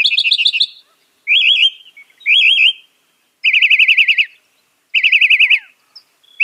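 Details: Northern mockingbird (Mimus polyglottos), a bird that copies other birds' songs, giving loud quavering trilled phrases, each a rapid wavering whistle repeated several times with short gaps between.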